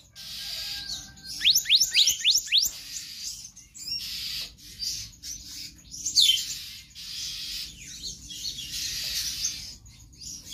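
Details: Kehicap ranting magpie-robin in konslet style, a tutor recording for caged birds: one early burst of five quick, shrill upward sweeps, then quieter scattered high notes over a steady background hiss.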